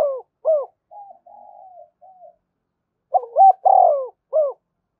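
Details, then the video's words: A spotted dove's thúc gù coos, used to get decoy birds singing: closing hoots of one phrase, quiet low murmured notes, then a full phrase of rolling notes, a long falling coo and a short end coo. "Tiếng cu gáy thúc gù"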